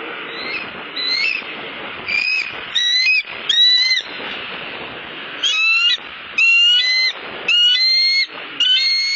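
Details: Hungry bald eagle at its nest on a Southwest Florida eagle cam, December 8, 2015: bursts of high, piercing, chittering calls with layered overtones, coming roughly every second between pauses, over a steady background hiss.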